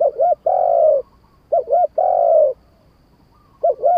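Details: Spotted dove cooing in the wild 'kharom pa' style, a pair of quick rounded coos then a long steady coo, phrases about every two seconds over a quiet background.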